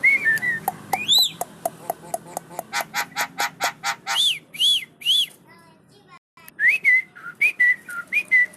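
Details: Head-nodding Javan myna with a varied song: quick clicks, a run of rapid buzzy notes, three arched whistles, then a burst of wavering, chattering whistled phrases.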